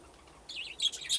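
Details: Budgerigars playing in an aviary with nesting boxes, a flock grown from two pairs: after a quiet start, a wavering high warble is followed by bright, sharp chirps overlapping near the end.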